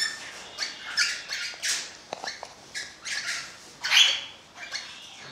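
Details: Orange-blue fallow crimson rosella producing a series of short, hoarse squawks separated by brief pauses, a sharp click midway, and a louder burst toward the end.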